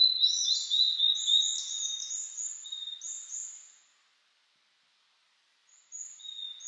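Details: Blue-and-white flycatcher singing in the mountains in 2022, on a cloudy 14°C spring day after the previous day's rain, amid fresh green leaves. It gives high, clear whistled phrases with slurred notes, then pauses before a short whistle at the end.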